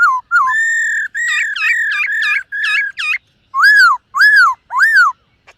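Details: Black-throated laughingthrush singing while dancing during morning voice training. Clear whistled phrases: level ringing notes and rapid looping warbles, then three loud arched, rising-falling whistles about half a second apart.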